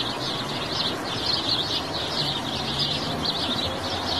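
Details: House sparrow chirping: a dense, continuous chatter of short high chirps overlapping without pause, as from several birds together, over a steady low rumbling hum.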